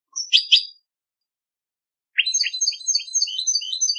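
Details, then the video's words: A European goldfinch sings from a singing-contest CD: bright, tinkling twitters, a short burst, a pause, then a fast run of liquid, jangling notes, with no other sounds. "cd concurso jilguero"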